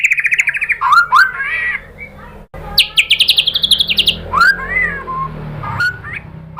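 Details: White-rumped shama lure song meant to make birds respond: a buzzy high trill, a rising slurred whistle, a rapid run of repeated high notes, then scattered looping whistled phrases.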